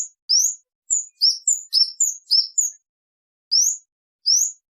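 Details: Kemade song used for luring and tutoring birds: clear, high rising whistled chirps in short bursts with pauses, loud and clean against silence.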